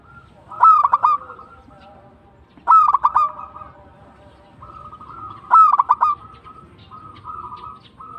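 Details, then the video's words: Local zebra dove singing actively: three loud phrases about every two and a half seconds, each a short burst of rapid pulsed notes ending in a rolling coo, with softer sustained cooing in between. "PERKUTUT LOKAL GACOR TUMBAK CUCUKAN ASLI"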